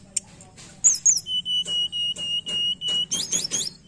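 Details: Tledekan song meant to stimulate a reluctant singer: a run of clear, evenly spaced flat whistles on one pitch, ending in quick upslurred high notes.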